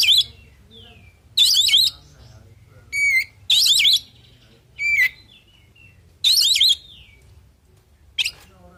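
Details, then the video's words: Oriental magpie-robin singing in the rich 'full isian' style to draw replies from other birds. Dense, warbling trilled phrases alternate with clear, pure whistles that slur downward, separated by short pauses. "Suara Burung Kacer Full Isian Di Jamin Langsung Saut Sautan"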